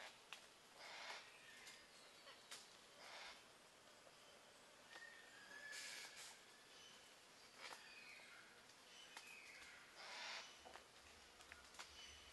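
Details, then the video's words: Yellow-tailed black cockatoos, a pair in Mulgum Creek valley, northern NSW, filmed October 2020 near their roost while tearing rotten wood for grubs, one keeping lookout; faint, harsh drawn-out calls at irregular intervals over a quiet background. "Yellow tail black Cockatoos"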